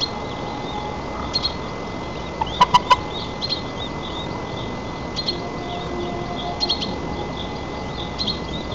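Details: Nest-camera recording from Nizhnyaya Kama National Park, Tatarstan, 4 May 2024, of a white-tailed eagle feeding its chick: a short burst of three sharp, clipped yelps midway, amid steady background hiss and scattered high songbird chirps.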